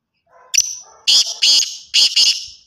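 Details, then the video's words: Kala tetar, the black francolin, gives a sharp high note with a thin trailing whistle over faint low warbling, then four loud, harsh, grating bursts delivered in two pairs. "kala tetar ki awaz boli masti"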